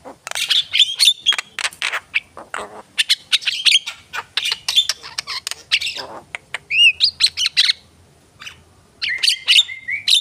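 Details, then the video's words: Javan myna in animated song with rough chattering bursts and squawks, a few clear curved whistles, a short silence, then a renewed flurry of harsh notes. "jalak kebo gacor"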